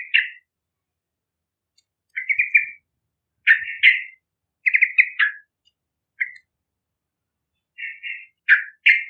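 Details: Lively trucukan, the yellow-vented bulbul, singing to lure juvenile birds: clusters of rich gurgling, warbled notes in irregular bursts separated by short silences, each burst sliding slightly downward at its end.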